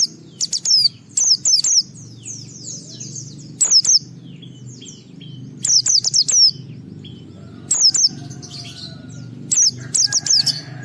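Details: Singing white-eye whose 'ngalas' song, running on through 'wiksar' phrases, is used to lure other white-eyes into song: repeated clusters of sharp, high, falling twitters every one to two seconds over constant soft chittering.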